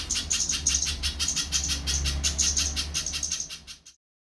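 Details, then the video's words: High, clipped notes from a little spiderhunter repeated quickly and rhythmically for about four seconds, then stopping abruptly; a soft low hum runs beneath. "Burung Pijantung Pisang || Tengkek buto mini"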